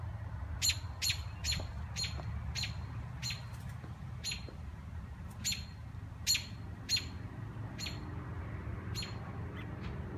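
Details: Baby birds in Minnesota pine trees chirp away with brief high, clipped notes, often in quick pairs, scattered across the recording above a constant low background hum.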